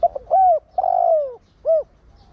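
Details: Spotted dove used as a decoy, 'Thổ Đồng' voice style, calling to prompt other doves to coo; one phrase of short clipped notes, an arched coo, a long drawn-out falling buzzy coo and a brief closing note.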